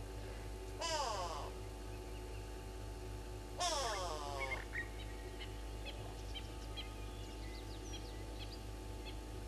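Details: Fork-tailed drongo at the Gowrie dam waterhole on Djuma Game Reserve, Sabi Sand, South Africa, on a morning in late August, caught by a fixed live camera: two loud, harsh, rasping bursts a few seconds apart, then faint short chirps over a steady background hum.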